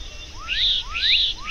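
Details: Black-capped donacobius (Donacobius atricapilla) at a lake on a sunny early-winter Sunday around 2 pm gives loud rising whistled notes about every half second, each sweeping into a bright ringing note, over a faint low hum.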